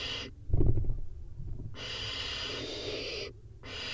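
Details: Barn owl nest box with four chicks scrambling for a prey drop: a burst of scuffling thumps and bumps, followed by a long hoarse hiss.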